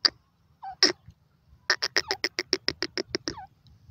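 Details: Partridge called Irani or Dakhni teetar: a few separate harsh notes, then a fast burst of about fourteen loud, rasping, evenly spaced notes, ending with a falling note; quiet background.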